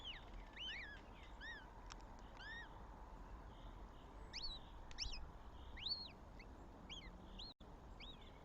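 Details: At a Northern Goshawk nest with young in Tartu, Estonia, on 7 May 2025, thin, high, arched whistled notes, each briefly rising then falling, come in loose bursts every second or so over a steady low rumble.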